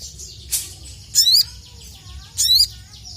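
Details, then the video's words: Crested jay (sogon), an agitated, heavily singing bird calling out rivals: three short, harsh, high bursts of stacked, bending notes about a second apart, with faint softer chirps between them. "KICAU SOGON GACOR EMOSI MEMANGGIL LAWAN, SOGON SIAPAPUN NGKLEPER LANGSUNG JIKA DENGAR"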